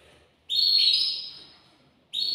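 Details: Caged male canary singing to stimulate a female to breed: a single sustained, high, bright whistled roll lasting about a second and slowly fading, then another note beginning.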